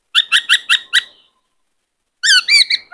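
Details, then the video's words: White-cheeked laughingthrush, a bird sung to train young birds and stir males into song and dance. Five rapid harsh chattering notes, a pause, then a quick series of higher, buzzier notes. "Khướu bạc má hót nhiều giọng hay Luyện khướu bổi kích khướu trống căng lửa hót múa"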